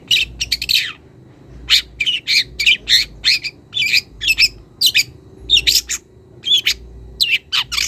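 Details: Young wild long-tailed shrike calling out to a rival and beginning to show mimicked phrases: clusters of rasping, high scratchy notes in quick runs, separated by short pauses, over a faint low hum.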